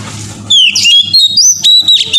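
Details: Morning song of an Oriental magpie-robin, played to set other magpie-robins singing. After half a second of hiss come loud, bright whistled notes and slurred phrases in quick succession, broken by brief gaps, over a steady low hum.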